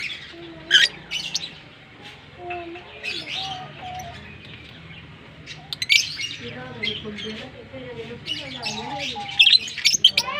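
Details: A pair of green Fischer's lovebirds, kept birds shown kissing, give bursts of sharp, high chirps and squeaky twitters in scattered clusters, with lower wavering tonal notes beneath and quiet background murmur.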